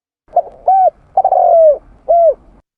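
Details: {'text': 'Spotted dove (tekukur) lure call: a short soft note, then a clear arched coo, a long drawn-out descending coo, and a final arched coo. The notes are low, mellow and hollow, with a quiet background.'}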